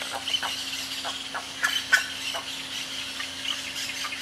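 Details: Wild pair of hyacinth macaws at the Porto Jofre hotel in the Pantanal, Brazil: a run of short, harsh squawks, the loudest clustered near the middle, over a steady low hum and faint outdoor background.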